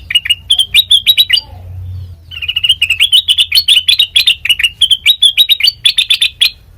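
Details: Sooty-headed bulbul song for training birds as a lure: bright chattering notes, a brief pause, then a long run of quick, varied chirps rising and falling in pitch.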